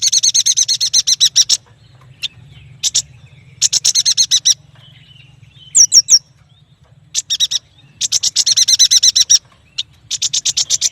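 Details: Lively yuhina song: long strings of fast, dry chattering notes in bursts of one to two seconds, broken by brief quick whistled slurs and short gaps, over a faint low background rumble.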